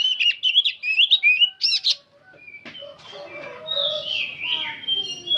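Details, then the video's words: Old oriental magpie-robin singing on and on: a burst of rapid, sharp whistles and buzzy chattering notes for two seconds, followed by softer drawn whistles and background noise. "Kacer tua jiwa muda nyerecet bunyi tanpa henti"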